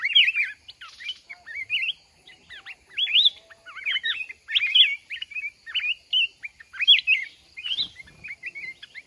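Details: Red-whiskered bulbul from the mountains, caught in a fighting contest with a caged decoy, sings a dense, continuous stream of lively, bouncing whistled phrases, rising and falling quickly without pause.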